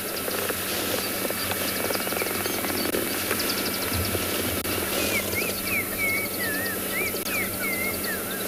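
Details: Pearl-spotted owlet (Glaucidium perlatum) calling in the background on a 4 December sunrise game drive at Tswalu Kalahari Reserve, South Africa: a run of high, wavering whistles over engine hum, insect buzz and faint chips of other birds.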